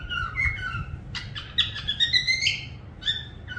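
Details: Parrot whistles: a short, sliding whistled phrase, then a string of quick rising chirps and clicks with rich harmonics, over faint low background hum.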